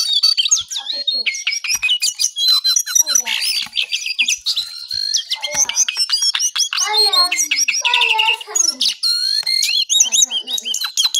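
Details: ['Early-morning brown songlark song, loud and nonstop: rapid chattering notes, buzzy trills and swooping whistles repeated in quick succession.']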